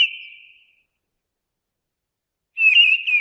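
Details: Fading end of one whistled mistle thrush phrase, a long silence, then a new bright warbling phrase begins.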